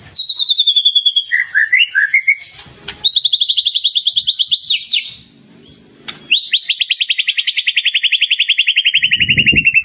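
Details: Murai batu, the white-rumped shama, singing actively with rich borrowed material. A high whistle is followed by short chirps, then long fast trills of rapid repeated notes sliding slowly downward, with brief pauses between sections.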